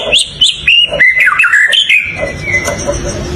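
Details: Varied whistled phrases from a white-rumped shama: several quick rising notes, then a run of descending and wavering slurred whistles, fading into a soft noisy background with low rumble in the last second.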